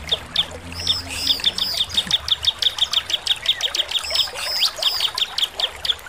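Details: A bar-winged prinia sings a loud lure song, a fast run of high, sharp chips and short looping notes repeated rapidly, meant to provoke responses from other prinias.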